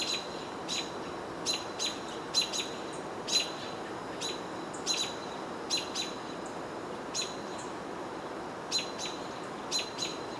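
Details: A house sparrow on the Cornell University campus in Ithaca, New York, on 22 June 2023 gives short, bright chirps at an uneven half-second to one-second pace. Robins nearby vocalize, upset by a hawk, over a steady low rush.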